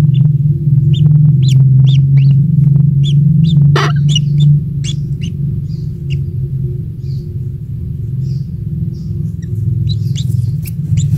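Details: Small kingfisher chick, the only one hatched, fed insects by a parent at the nest; thin high chirps come steadily about twice a second, fading later, over deep rumbling background noise.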